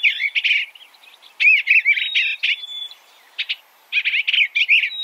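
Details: Eastern bluebird singing in several clusters of jumbled, warbling notes separated by short pauses, with a thin level whistle between the bursts.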